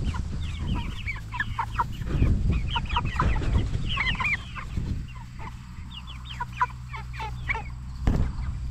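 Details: Cornish Cross broiler chickens, 44 days old, kept for meat; a flock giving clustered chirps and rising peeps with a few clucks, over a steady low mechanical hum.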